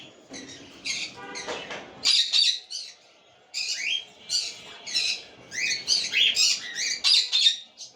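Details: Cockatiel uttering quick runs of harsh, high squawks and chirps, several per second, after a brief faint buzzy sound and a pause near the start.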